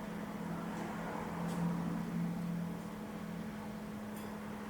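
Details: Steady electrical hum and broadband background noise, with no animal voice audible.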